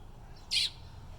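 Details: A baby American robin calling for its mother gives one short, high, raspy chirp, a quick burst of hissy begging over a quiet background hum.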